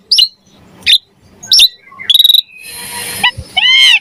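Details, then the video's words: Javan pied starling singing as a model for training songbirds: a few spaced sharp chirps, a quick rattling trill, a harsh noisy stretch, then a clear arched whistle. "Suara Jalak Suren Gacor Mompa Variasi Isian Mewah Cocok Buat Masteran & Pancingan Burung Jalak"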